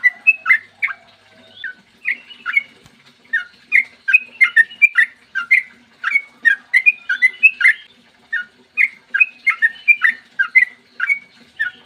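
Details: Extended morning song of a sooty-headed bulbul, used as a lure to set other bulbuls singing; continuous chattering, whistled notes bouncing up and down in pitch, several per second throughout.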